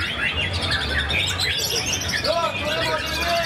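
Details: White-rumped shama performing at a singing contest in Karawang after its moult, taking first place; quick varied whistles and chirps, some rising and falling slurs, over a constant low murmur of spectators.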